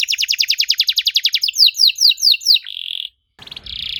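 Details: Canary lure song for young canaries to answer: a rapid high rattling trill, four sweeping downslurred notes, a steady buzzy tone, a brief gap, then another buzz.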